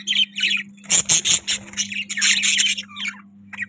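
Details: Budgie chirping in quick, harsh, buzzy bursts, a run of loud squawky notes followed by softer warbling chatter, steady low hum in the background.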